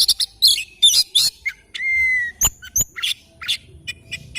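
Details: Oriental magpie-robin singing in the morning: varied sharp chirps and clicks with a long drawn whistle near the middle and high squeaky notes, several faint calls in between.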